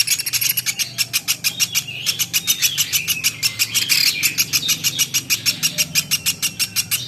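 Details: Rapid series of harsh, high chirps from a platuk beras woodpecker, about three each second, in a training recording for songbirds, with a soft low rumble behind.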